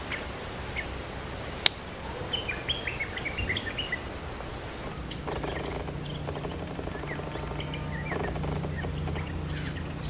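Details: Lure calling of a red-whiskered bulbul: a cluster of quick chirpy warbled notes, then fainter phrases partly masked by a rising mechanical hum and buzzing noise.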